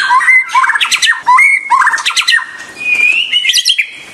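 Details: White-rumped shama repeating upswept whistles followed by rapid clattering notes in phrases about every half second, ending in a high rising trill.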